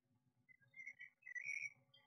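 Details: Eurasian blue tit chicks hatching inside a nest box in May, with the male bringing food every few minutes. Thin, high whistled cheeps come in two drawn-out, slightly wavering bursts over a low indoor hum.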